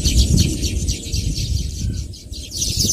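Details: Baya weavers chirping in quick, overlapping high notes that form a busy chatter, with a strong low rumble underneath throughout.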